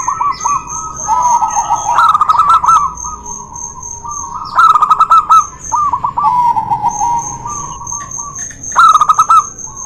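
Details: Zebra doves, local and white, in a song duel meant to stir quiet doves to sing: soft rolling coos broken by three loud bursts of rapid staccato notes, alternating voices, a faint steady whine behind.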